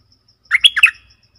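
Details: Streak-eared bulbul, 20 March 2022, delivering one brief phrase of three rolling, slurred chirps in quick succession; faint ticking in the background.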